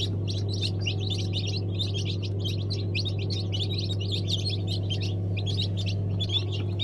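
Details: Brahma chicks, freshly hatched, cheep constantly as a group: rapid overlapping high-pitched peeps, even in loudness throughout, with a constant low electrical or machine hum beneath.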